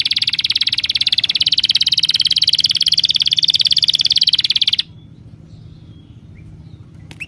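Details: A bird delivers a rapid, high, pulsing trill for nearly five seconds, then stops abruptly, leaving near silence with a faint low hum.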